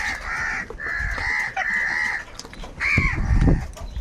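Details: During an angry fight for food, crows give a run of harsh, flat caws in quick succession. A louder, rougher caw follows after a short pause, with thumping and scuffling noises underneath.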